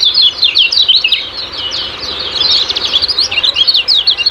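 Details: Lemon-bellied white-eye singing 'ciak-ciak' style: a continuous stream of quick, high-pitched twittering notes, sharp and chattering, with slight swells in loudness throughout.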